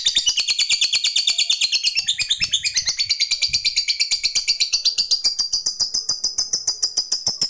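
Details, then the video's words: Lovebird calling a rival with a long ngekek chatter: a continuous shrill rattle of quick repeated notes whose pitch rises slightly partway through, delivered steadily for over seven seconds. "Suara Burung Lovebird Gacor Ngekek Memanggil Lawan, SANGAT AMPUH bikin Lawan ikut Ngekek Panjang"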